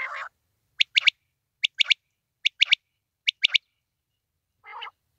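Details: Quail calling: four quick three-note phrases, each a sharp high note followed by a fast double note, repeated roughly every 0.8 seconds, with a short rough, harsh burst at the start and another near the end.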